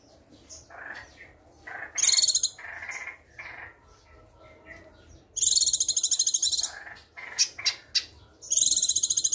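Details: Young female Sumatran leafbird, kept caged, still moulting and singing actively every day, delivers loud, very high, rapid buzzy trilled bursts of about a second or more, alternating with lower chattering and whistled notes.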